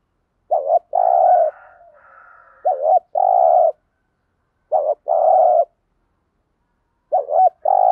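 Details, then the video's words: ["Repeated 'thúc gù' cooing of a spotted dove, played to make wild doves respond. Four phrases, each a brief wavering coo then a drawn-out pulsing one, with a faint higher murmur after the first."] "tiếng cu gáy THÚC GÙ bài bản/ chim cu gáy giọng bài bản giúp bổi ức chế và gáy theo"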